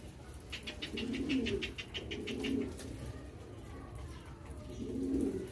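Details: Young homing pigeons hand-fed and being accustomed to a whistle give low, soft, rough grunting calls in three bursts, with rapid clicking pecks during feeding.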